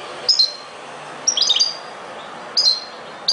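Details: European goldfinch song fragments: brief high tinkling chirps, then a tight cluster of twittering notes, then another short chirp pair, over steady low background hiss.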